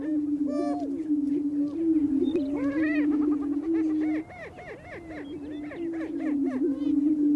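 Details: Several male greater prairie chickens booming on their spring lek on North American prairie in mating display, with a sustained low hooting hum and a busy chorus of arched whoops and cackles.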